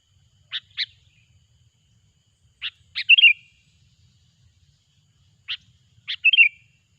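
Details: Lure song of a sooty-headed bulbul for trapping: pairs of crisp chip notes, some followed by a short liquid warble. The groups are spaced a few seconds apart, with quiet between.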